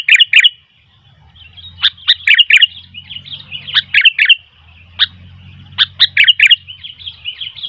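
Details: Sooty-headed bulbul in lively song, with wild bulbuls drawn in and calling back: bright bubbly chirped phrases in quick bursts, pausing briefly between groups, over a faint low hum.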